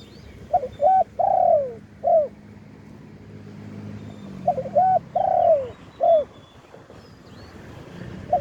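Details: Spotted dove from the wild, recorded live, singing in the khan yon ha style. Two phrases about four seconds apart, each of four coos: short clipped notes, a longer drawn-out falling coo, then a final short note. Faint distant chirps.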